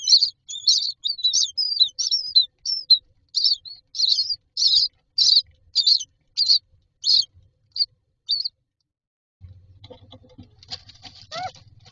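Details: Common myna chicks in a nest box waiting for food, giving repeated harsh, buzzy high chirps about twice a second that fade out after eight seconds, followed by faint low rumbling and a brief rising squeal.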